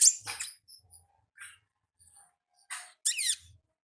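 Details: Wild olive-backed sunbird in ngalas song: a jumble of high chirps and thin whistles, then a loud, rapid run of descending twittered notes near the end.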